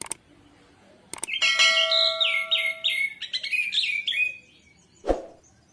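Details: Orange-headed thrush song meant to stimulate a silent bird to sing. About three seconds of rapid, tumbling high warbles and trills, with a steady ringing tone underneath. Clicks come before it and a dull thump follows.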